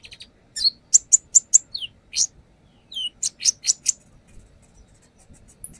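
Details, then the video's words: A brown-throated sunbird gives a lure song full of varied phrases: two bursts of loud, rapid high chips, each with a downslurred whistle, then quiet with faint hum. "AKSI KONIN NAGEN BONGKAR ISIAN | Pancingan konin"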